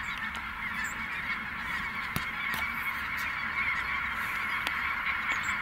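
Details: Snow geese in takeoff at Merced NWF, hundreds of honks merging into an unbroken babble, with individual yelps popping out roughly twice a second over faint background noise.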